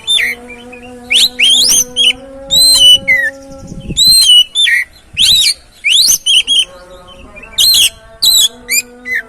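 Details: Lure song of an oriental magpie-robin, meant to prompt a quiet, stressed bird to sing: rapid sequences of clear whistles and looping slurred notes, pausing briefly between phrases, with a low continuous tonal drone beneath.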